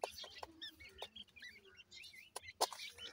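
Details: Playing partridge chicks give a string of sharp, high twittering notes, some slurred downward, with a few loud clicks and knocks around them.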